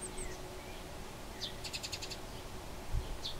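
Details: Eurasian tree sparrows in a fight, wild birds near Bolesławiec in Lower Silesia, Poland; a sharp descending chirp leads into a fast harsh chattering rattle, followed later by another chirp, with faint distant bird notes and low rumble.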